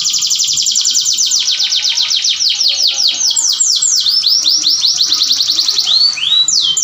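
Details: Canary in breeding condition singing to encourage mating, a continuous high rolling trill of fast repeated downslurred notes that gradually slows and ends in a couple of rising whistled notes.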